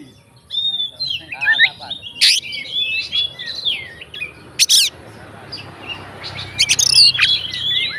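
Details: Fighter Oriental magpie-robin, its song packed with fill-in phrases to set other magpie-robins going: high whistled twists and trills broken by several short, loud, harsh bursts, with faint background hiss.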